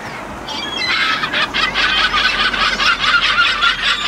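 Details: Kelp gulls giving a long series of harsh, laughing call notes repeated rapidly and somewhat unevenly, rising in intensity after a short quieter start, with overlapping voices suggesting several birds.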